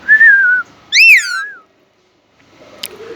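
Indian ringneck parakeet giving a smooth whistled phrase, then a bright rising-and-falling whistle with harmonics, a short pause and faint household noise.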